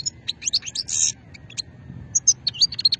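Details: European goldfinch in old-strain song style from Sétif, Algeria, 2020; quick run of bright high twitters, a short buzzy rasp, then renewed tinkling chirps in fast succession.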